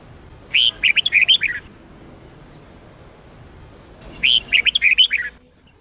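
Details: Sông Kôn red-whiskered bulbul song used to train bulbuls every day: a pair of chattering whistled phrases, each about a second of quick up-and-down notes, roughly three seconds apart.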